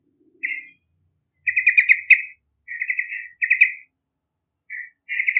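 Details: Yellow-vented bulbul singing, used as a lure for other birds: several bursts of rapid, rattling chirpy notes separated by short gaps, plus a few single clipped notes; quiet background with a faint low sound early on.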